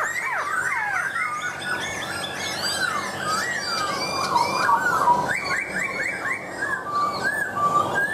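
A laughingthrush sings a loud, rich run of slurred whistles, rising and falling, then switches to repeated clear upslurred notes.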